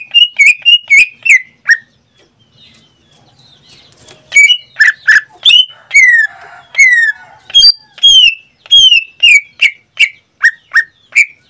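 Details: Greater green leafbird kept as a pet in Indonesia, singing fast bursts of falling whistles, a quiet interlude with soft murmuring, then a long even sequence of bright repeated notes.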